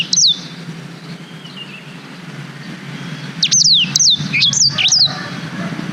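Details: Black-throated canary, a tutor bird for young canaries, recorded with a GoPro Hero 5: a single high falling whistle, a pause, then a quick series of bright, downslurred and wavering notes.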